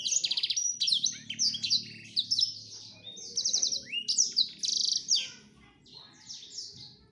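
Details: Male black-throated canary wooing a female, pouring out a bright high song of buzzy rattling trills and rising whistled slurs in repeated bursts, a low hum audible beneath.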